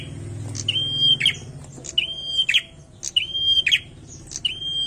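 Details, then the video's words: Bar-winged prinia singing steadily, four phrases of a high level whistle ending in a brief scratchy buzz, repeated a little over once a second, with low-pitched background noise. "PRENJAK GACOR MANTAP BETUL"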